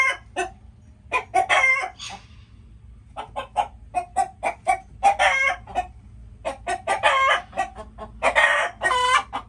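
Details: Chickens calling busily, dense sequences of short clucks mixed with drawn-out harmonic squawks that recur every couple of seconds across the recording, faint low rumble underneath.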